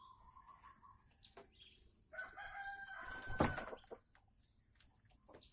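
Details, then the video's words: Pre-laying cackle (ngekek) of a caged Sumatran red junglefowl hen, 24 December 2020. A few soft clucks lead into a loud, harsh, drawn-out outburst in the middle, then quieter scattered notes. "Suara ayam hutan merah Sumatera Asli saat mau bertelur"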